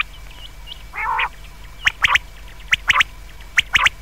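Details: Common quail, presented as a night-time sound, with a short nasal buzzy burst followed by three crisp three-note whistled phrases spaced about a second apart. A steady low hum sits underneath.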